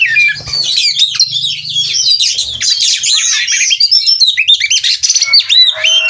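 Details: Mating-ready oriental magpie-robin in ngobra display at a breeder in Cirebon, Indonesia. An unbroken cascade of warbled high whistles and trills, with a low hum during the opening seconds.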